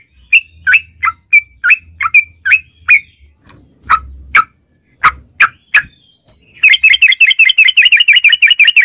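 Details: Yellow-vented bulbul in long rapid-fire 'ropel' singing, used as a lure to make other bulbuls sing: sharp chirped notes about twice a second, a few broad clicks, then a fast rattling burst of quick bright notes at the end; faint low hum.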